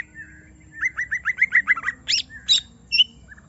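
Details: Caged greater green leafbird, provoked into song, gives a quick run of rising chirped notes, then a few loud squeaky calls and a thin whistle.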